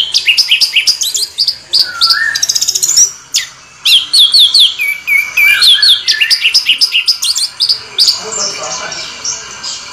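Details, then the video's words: Rolling, continuous song of an orange-headed thrush, packed with fast chattering trills, sharp high chips and slurred whistles tumbling one after another for the full stretch, with no pause. "Anis merah ngeroll"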